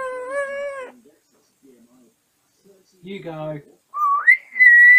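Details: Caged pet African grey parrot babbling and singing while settling down at bedtime; a steady harmonic tone, a pause, a buzzy nasal phrase, then a whistle rising sharply and holding high, indoors.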